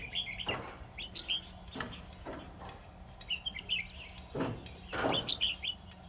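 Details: Red-whiskered bulbul decoy at a trap, calling a wild bird: clipped warbled phrases broken up by several loud sharp knocks or clatters.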